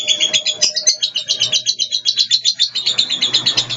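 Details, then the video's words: Long 'ngekek' chatter from a blue lovebird that is moulting, a rapid, unbroken stream of high, shrill buzzy pulses, about four a second, running evenly from start to finish. "Love bird biru ngekek panjang"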